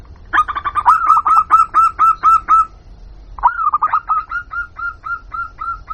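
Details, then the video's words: Zebra dove of local stock giving a lure call meant to attract wild doves: a rolling opening note, then a steady string of short rising coos, repeated after a brief gap. "Suara Pikat Burung Jitu Perkutut Jamin Nyaut Kutut Lokal"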